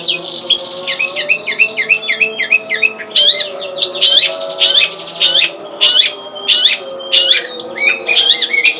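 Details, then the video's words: Long-tailed shrike song of repeated looping, whistled chirps, about one or two each second, some notes rising then dropping, loud and clear against a quiet low hum. "Burung cendet"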